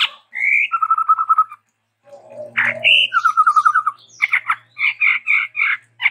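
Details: Chestnut-rumped babbler, tepus tunggir merah, called endemic to Sumatra: a rising whistle then a fast run of low piped notes, repeated once, followed by buzzy chattered phrases; low hum underneath.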